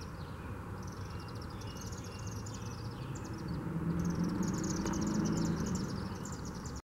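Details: Several chimney swifts circling and dropping into a chimney in Macon, Georgia, on April 6, 2016, give high, rapid, twittering chips in overlapping bursts over steady low traffic and wind noise.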